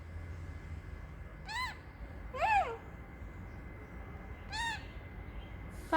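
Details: Bored pet parrotlet on a warm Friday afternoon, calling for his owner: three short, arched squeaky calls spaced about a second apart over faint background hiss.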